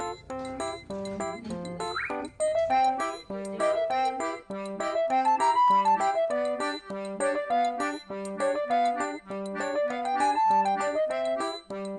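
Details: Cheerful instrumental music with bouncy, bell-like notes plays throughout, with no animal voice heard. The tune moves in quick, evenly spaced notes over a steady low accompaniment.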